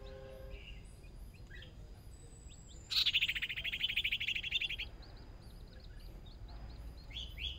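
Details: Hwamei decoy bird competing in a first small singing-contest practice: a loud buzzy, rapidly pulsed trill lasting about two seconds, with faint whistled notes and other distant chirping birds around it.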